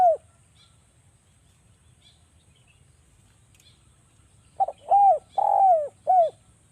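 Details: Javan spotted dove in a sharp calling style played to prompt doves to sing: the end of one coo, several seconds of quiet, then a phrase of two short notes, an arched coo, a long falling coo and a brief closing coo.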